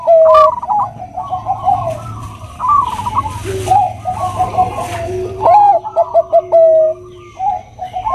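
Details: Zebra dove of the Bangkok type, described as a female calling to a male: soft, mellow cooing in short trilled bursts and clipped notes, several phrases with brief pauses, over a low steady hum.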